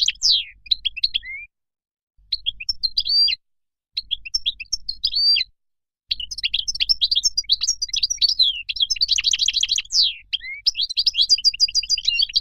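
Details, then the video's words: Moroccan goldfinch singing lively twittering phrases, short at first, then one long run from six seconds on. This run holds a buzzy trill and sweeping slurred notes. "تغريد مقنين مغربي"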